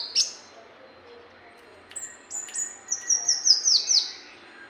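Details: Brown-throated sunbird song for training birds: an opening sharp chirp, a few thin high whistles, then a quick descending string of bright, clipped notes, with a steady background hiss.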